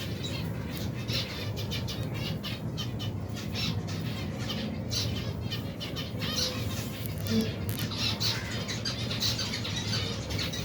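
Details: Large finch society, over 120 pairs with babies, eating through their daily routine; an unbroken stream of sharp, clustered chirps and twitters from many birds, backed by a low mechanical-sounding hum.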